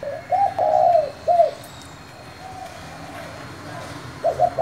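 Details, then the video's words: Spotted dove with 'thổ' style voice, calling to stir rival wild doves. A mellow run of arched coos comes first, then a quieter gap and a fresh pair of coos at the end. "Cu gáy giọng thổ gọi, thúc kích bổi nhanh nổi"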